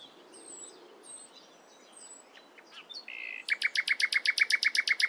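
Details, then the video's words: Nightingale singing in the morning: scattered thin high whistles and short slurred notes, then a loud rapid rattling trill of about fourteen sharp repeated notes. "Nightingale Singing In The Morning"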